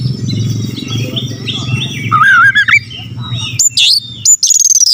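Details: Kacer, the Oriental magpie-robin, in a provocation song for rival birds: soft chattering at first over a low rumble, then a loud quavering whistle, sharp falling notes and a high sustained whistle to finish.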